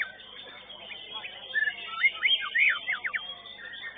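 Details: White-rumped shama in a caged singing-competition class at a modern contest arena, placing second; a clear run of whistled notes that sweep up and down and quick slurred phrases, over a dense background of other birds' chatter.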